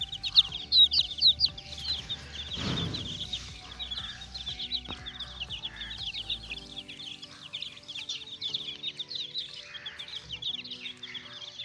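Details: Young chicks playing, giving loud shrill peeps at first, then a busy chorus of softer high cheeps, over gentle background music and a brief rustling burst.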